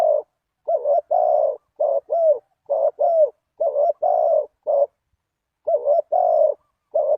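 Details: Lure call of a spotted dove for catching wild doves, a steady run of low cooing notes in grouped phrases, short doubled coos then a longer rolling one, repeated closely over several seconds against silence.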